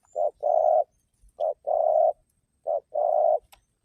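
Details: Spotted dove song, played to draw other doves into calling: a short coo followed by a sustained rolling coo, repeated three times at a steady pace in a quiet setting.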